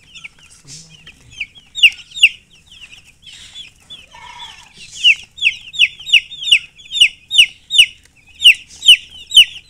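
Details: Chicks of domestic chicken peeping: a few soft scattered chirps at first, then a steady run of loud, downward-sliding high peeps, roughly two per second, in a quiet setting.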